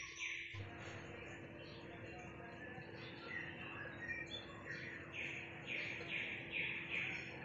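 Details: Munia calling in the morning: short, bright chirps in loose runs, growing denser and louder toward the end, over a steady low hum and soft background noise.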